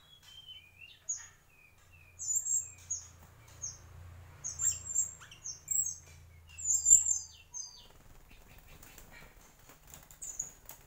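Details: A wild mangrove whistler in mangroves sings short whistled phrases, starting with lower slurred notes, then sharp, high ringing notes in quick bursts, over a faint low hum.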